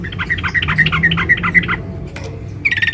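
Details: Female sooty-headed bulbul calling for a male: a quick series of chirping notes for nearly two seconds, then a brief pause and a new burst, with low background rumble.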